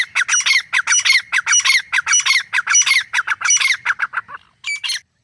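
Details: Wild grey francolin pair, male and female, calling in natural forest jungle habitat; loud harsh squawking notes repeated rapidly, about two per second, in a long run that fades before a final burst.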